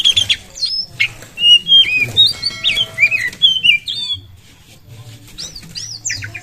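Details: Oriental magpie-robin singing persistently, meant as a lure to set other birds singing; bright whistled phrases rise and fall, notes bending up and down, delivered rapidly with short pauses, faint low hum beneath.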